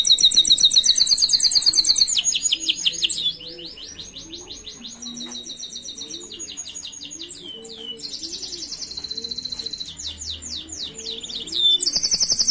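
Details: Canary master song, used for training other canaries: loud, rapid high trills and rolling phrases that change every second or two, with fast repeated chirps, buzzy rattles and a brief quieter stretch mid-song before a sharp final burst.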